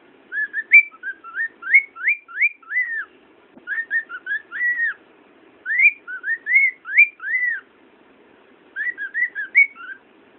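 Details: A pet cockatiel sitting on a pillow on a bed sings bursts of clear, rising and falling whistled notes, pausing between phrases.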